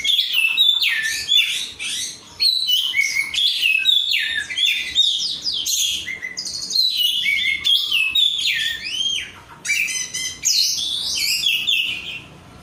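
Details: Oriental magpie-robin (kacer), an untrained 'rudal korea' bird kept caged by hobbyists, singing gacor: long, energetic stream of sharp whistles, steep slurs and chattery notes, pausing briefly every second or two.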